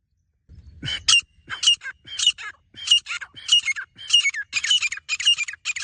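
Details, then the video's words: Grey francolin calling: a steady series of loud, harsh, high notes, each a short scratchy burst, repeated nearly twice a second for about five seconds in a quiet setting. "Desi gora teetar teetar ki awaaz teetar voice"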